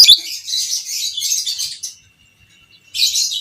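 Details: Long ngekek chatter from a fighter lovebird of biola PB creamino colouring, recorded to train other lovebirds: nearly two seconds of continuous scratchy, high twittering, a pause, then the chatter resumes; faint constant whine underneath.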